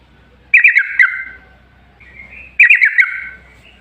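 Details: Two matching phrases from a yellow-vented bulbul, each a quick tumble of four or five bubbly, slightly descending notes with a drawn-out tail, about two seconds apart; played to lure other bulbuls into singing.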